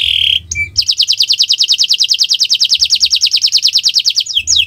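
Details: Canary in the owor-owor uhuii song style, played as tutor song for pet birds: a short whistled note, then a long, very fast, even trill of rapid high repeated pulses lasting several seconds, ending in falling whistles.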